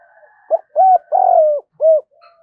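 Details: Spotted dove calls, male and female, used to stimulate training birds: a four-part coo of short clipped notes around a long, drawn-out descending coo, clean and close.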